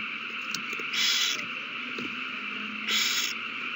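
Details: Owls in a prey frenzy at the nest over a delivered mouse, March 21, 2020. Two fairly soft, breathy hissing screeches about two seconds apart, with faint taps and a constant low hum throughout.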